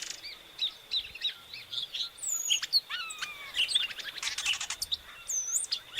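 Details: Song of an epaulet oriole (inhapim): scattered sharp whistled notes and downward-sliding slurs, some fainter, over a continuous thin high-pitched hum.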